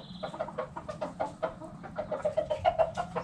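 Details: Backyard hens clucking in quick, soft, low pulses several times a second, a few brief higher bird notes at the start.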